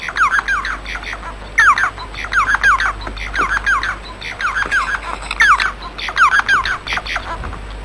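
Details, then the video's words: Bengalese finch delivering repeated song phrases, each a rapid jumble of harmonic chirps and slurred notes lasting under a second, coming again and again with short gaps over steady low hum. "صوت طائر الموانو البنغالي"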